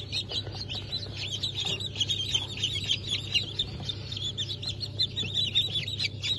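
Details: Many newly hatched Brahma and Wyandotte chicks, hatched 4 August 2024, peep loudly and almost without pause. Bright, high chirps pile over one another above a quiet low hum.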